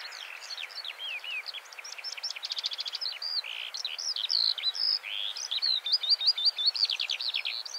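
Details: Territorial song of a skylark, fairly distant, an ongoing jumble of high chirps, fast rattling trills and repeated whistled notes over light background hiss.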